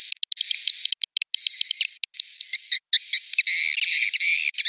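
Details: Swiftlet roosting chatter: jumbled high twitters and clicks over a constant shrill tone, with choppy pauses and denser, louder chirping toward the end.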